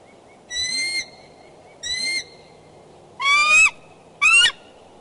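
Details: Bald eagles courting at their Decorah nest, 2 February 2012, 9:30 am, calling from the branches. Four drawn-out, harsh squealing notes: two steady, then two louder ones that bend upward.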